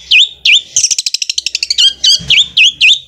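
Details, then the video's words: Caged long-tailed shrike, song said to sound like a sewing machine: dipping whistled notes framing a fast rattling trill of clipped pulses, then more swooping whistles. "Cendet gacor suara seperti mesin jahit roll speed nya enak banget"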